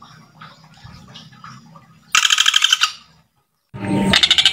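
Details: Vocal male Common Flameback calling a female, giving two loud bursts of rapid, harsh, machine-gun-like pulses separated by a brief silence, after soft background chatter.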